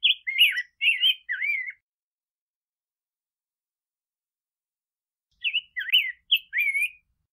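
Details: Rose-breasted grosbeak singing a variation: two short clusters of quick, slurred whistled notes separated by a long silence of nearly four seconds.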